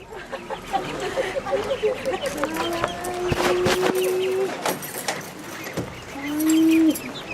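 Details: Call duck ducklings, world's smallest domestic duck breed, give drawn-out, even-pitched peeping calls, some in quick chirpy runs, while sunbathing and bathing, over splashing water and clicks.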